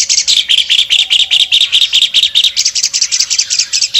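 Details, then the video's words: Wing-opening albino Asian pied starling in full voice, pouring out an unbroken string of rapid, clipped, metallic chattering notes at an even pace. "jalak suren albino gacor buka sayap"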